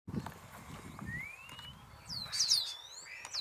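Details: Thekla's lark (Galerida theklae), call.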